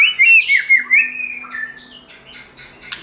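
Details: White-rumped shama in wild-style song, from an uncut training recording: several loud looping whistled notes, then softer, fading warbled phrases and a final sharp click, with a faint steady low tone beneath.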